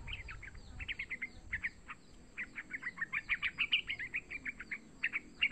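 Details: Young yellow-vented bulbul calling, used to lure other bulbuls into calling: a steady stream of short, sharp chirps and twittering notes, about three or four a second, fairly even and busy, with a faint steady hiss behind.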